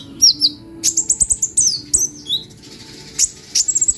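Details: Bright sunbird twittering: short high notes, a fast burst of sharp ticks, slurred downward chirps, and a final cluster of quick clicks, with a soft low drone behind.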